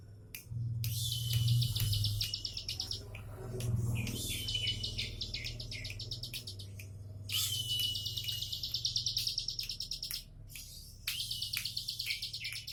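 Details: Bar-winged prinia singing in the relaxed 'tembakan' style: rapid buzzy high trills in bursts of about two to three seconds, separated by short pauses, over a steady low hum.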